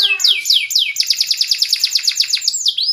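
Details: Gacor canary song used to prompt other canaries to respond: a few descending slurred whistles, then a fast, even roll of repeated sweeping notes, ending on a rising whistle. No other sounds.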